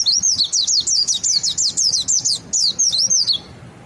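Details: Mountain white-eye singing its ngalas song to spur other white-eyes into song; a loud, rapid run of high, wavering, zigzag whistled notes, about three per second, ending abruptly.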